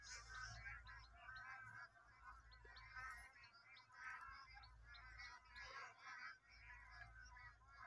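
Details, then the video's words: A large flock of bar-headed geese in the Eastern Range of Kaziranga National Park, India, keeps up a steady chorus of nasal, honking calls, many birds overlapping, over a low constant hum. "Large flock of Bar headed Goose"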